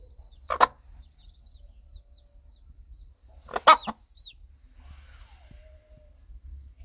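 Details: Hen calling her young chicks, clucking to lead them to food, warmth and safety; two loud, harsh, well-spaced clucks about three seconds apart, the second a quick double, with a faint high chick peep and quiet background between.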